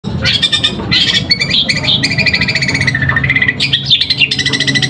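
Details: Long-tailed shrike at a song contest in Pamekasan, singing in the 'suara gereja' style with continuous fighting delivery: loud, rapid runs of harsh, buzzy, harmonic notes with quick pitch jumps and short squeaky phrases, over low background hum.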